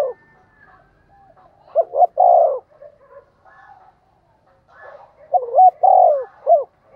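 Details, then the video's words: Seasoned decoy spotted dove giving its urging, calling coo to lure wild doves: two low coo phrases, each of short rising notes, a long rough drawn-out coo falling at the end, then a clipped final note. "Chim cu gáy mồi chai thúc và gáy gọi mới nhất/ chim cu gáy kích bổi"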